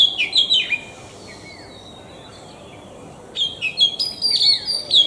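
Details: Oriental magpie-robin singing: a burst of loud, sweet whistled phrases with sliding notes, a quiet gap, then a rich run of clear high whistles and ringing notes, fairly clean background.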